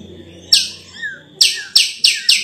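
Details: Sulawesi myna with a sweet-sounding voice: a bright explosive note, a soft falling whistle, then three quick sharp chirps in close succession. A constant high faint tone sits in the background.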